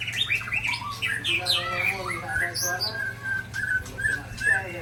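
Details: White-rumped shama from Ujong Pancu pouring out rare 'isian' fill: rich varied song mixing high, quick whistled notes with lower, mellow repeated phrases, some buzzy, over a steady background hum.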